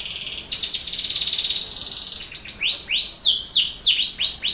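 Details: Canary singing as a prompt to get young birds singing quickly: a dense high buzzy trill lasting about two seconds, then a series of fast swooping whistled notes repeated several times a second.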